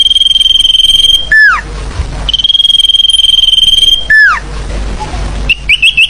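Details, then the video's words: Forest bird lure call: two long, steady, high trilled whistles, each closing with a quick falling slur, followed by a few short rising chirps. "Suara pikat burung hutan SIRTU RIBUT"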